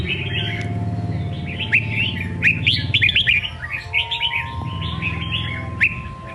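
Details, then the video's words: Songkon-style singing from a red-whiskered bulbul, a run of clear chirpy warbled notes packed into lively phrases, with a loud low droning hum and faint steady tones underneath throughout. "Chào mào hót giọng songkon cực hay"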